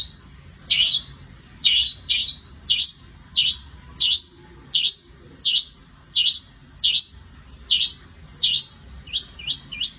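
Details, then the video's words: At night a long-tailed shrike gives sharp high descending notes, singly and in pairs, spaced about a second apart, against a steady thin high tone. "Kicau Cendet Gacor Di Malam Hari"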